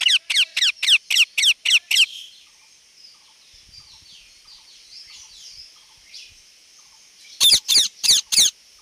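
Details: Rose-ringed parakeet screeching: a fast run of seven harsh, evenly spaced squawks, a quiet stretch with soft background chatter, then four more loud rasping squawks in quick succession.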